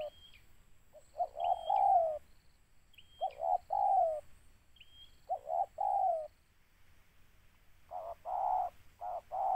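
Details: Spotted dove targeted in bird trapping, repeating paired coos, a brief note then a longer falling one, about every two seconds; short high whistles come before several pairs, and the last coos run faster and choppier.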